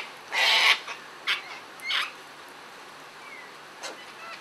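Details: Sulphur-crested cockatoo feeding with others: one loud harsh screech followed by a few fainter short rasping calls and a thin distant squawk.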